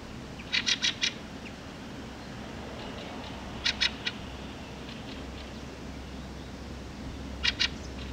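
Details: A Fieldfare (Turdus pilaris) on a meadow, where it hunts for bugs and worms, gives harsh, dry chattering bursts of three or four quick notes, repeated about every three seconds over a steady low hum.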